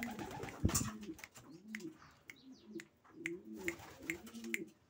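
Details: Racing pigeons giving soft arched coos in a series, interrupted by a loud thump near the start, with sharp clicks and tapping sounds scattered throughout.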